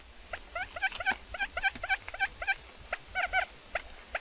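Quail giving rapid, squeaky, slightly rising chirps, several per second in short bursts, over a faint low rumble.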